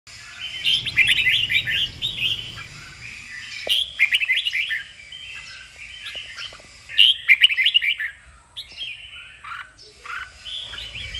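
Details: Red-whiskered bulbul 'kích bổi' stimulation song for training birds to sing: bursts of bright, chattering warbled phrases with quick rising and falling notes, loud near the start and again near eight seconds, with softer phrases between and low background rumble.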